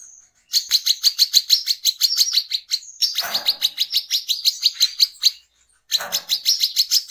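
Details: Brown-throated sunbird (wiceh) in vigorous ngecret ngeplong song for luring birds: dense, rapid high chipping, about three notes a second, with two brief lower rustling noises and a short pause before the last phrase.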